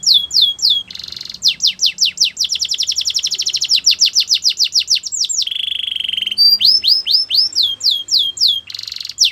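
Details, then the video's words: Canary singing for training: quick falling notes and buzzy bursts, then a long rapid trill of repeated swoops, a low sustained whistle, and more twittering phrases. "Canary song for training"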